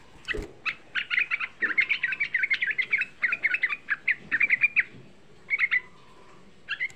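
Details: Lure song of a young sooty-headed bulbul meant to stir rival bulbuls: long rapid chatter of liquid, bubbly notes, nearly fifty in seven seconds, easing into spaced pairs near the end.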